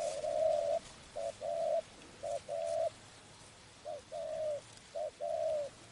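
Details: Spotted dove heard while being trapped, cooing in paired phrases. A quick short note precedes a sustained, slightly falling coo, four pairs in all, against a quiet background with a faint low drone.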